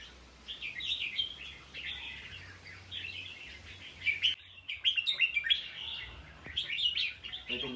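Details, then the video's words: Red-whiskered bulbul gives a bright, chattering whistled song of rapid rising and falling notes, louder and more clipped in the second half, over a faint steady hum. "นกกรงหัวจุก เบื่อๆพอได้ฟัง"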